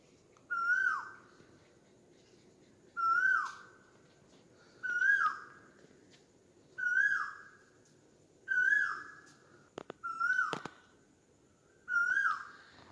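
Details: Asian koel calling, a clear whistled note that rises and then slides downward, repeated about every two seconds over seven calls, with a low background hum and a couple of sharp knocks.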